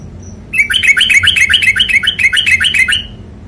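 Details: Sooty-headed bulbul in 'ropel panjang' style, a rapid tutor song: a dense, fast chattering burst of rolling whistled notes, about four per second, lasting around two and a half seconds, after a brief faint thin tone.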